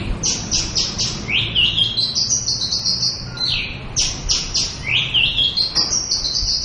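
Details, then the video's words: Local Javan bush lark, a species prized by songbird keepers and said to be nearly gone from the wild, sings its full repertoire: a fast run of high chirps, then buzzy rising trills and sliding whistles, repeated twice in quick succession. "Suara Burung Branjangan Lokal gacor full isiaan"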